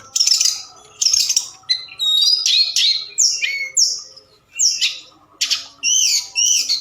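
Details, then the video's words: Forktail lure sound at night to stir other birds: separate harsh, buzzy bursts alternating with sharply descending high whistled slurs, with brief pauses between phrases. "Tledekan Gunung Gacor Malam || Suara Pancingan"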